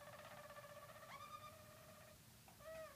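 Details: Harzer Roller canaries, about six months old, a team of four training for song competition; low, pure sustained whistles with a brief upward jump, then a short pause and another clear whistled note.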